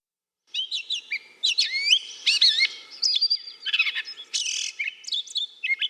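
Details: Gray Catbird singing a quick, rambling jumble of squeaky, scratchy and whistled phrases, each different from the last, with no other sounds.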